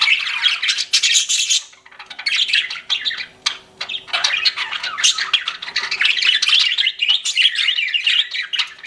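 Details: Pet budgerigars chattering indoors: a dense, continuous scratchy warble of squawks and chirps, rising and falling in loudness with brief pauses.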